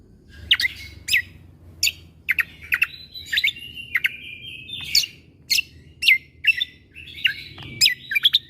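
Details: Greater green leafbird tutor recording in full 'tembakan' style, used to train young white-rumped shamas. Steady sharp chips repeat about twice a second, woven through a long level whistle that rises midway.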